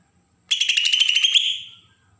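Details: Provoking besetan call of a Bornean green leafbird from Kalimantan: a single fast, pulsed, scratchy trill of under a second that tails off softly.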